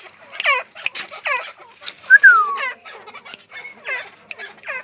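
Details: Female grey francolin sound, linked to francolin fighting: harsh, stacked, downslurred notes in quick overlapping bursts, several per second, with a clear whistled note cutting in midway.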